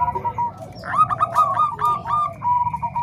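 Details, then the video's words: Zebra dove, Bangkok and Cemani Kolbuntet voices mixed to train other doves: a held mellow coo, then a quick chattering run of clipped notes, ending in another long smooth coo. "Suara Kombinasi Perkutut Bangkok Dan Cemani Kolbuntet"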